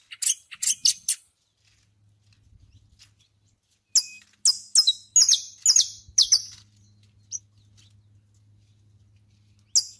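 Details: Saffron finch (canário-da-terra) singing outdoors among nature: quick bursts of sharp, high chirping notes, a fast cluster near the start and a longer run of bright slurred chips midway, a lone note at the end, over a faint low steady hum.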